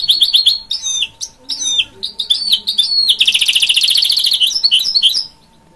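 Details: A hybrid goldfinch mule, bred from goldfinch and canary, sings varied high chirps and slurred notes. These run into a loud, fast, buzzing trill that ends suddenly, leaving quiet.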